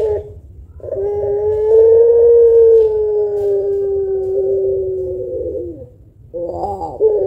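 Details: Spotted dove of the puter pelung variety with a long voice, singing to encourage other birds. A brief note, then a long drawn coo swelling slightly and fading over nearly five seconds, ending in a burbled phrase.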